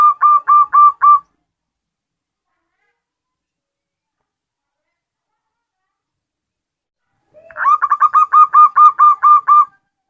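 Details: A female zebra dove calling to a male gives a short run of quick, soft cooing notes, then after a pause a longer staccato series of about ten notes at an even pitch.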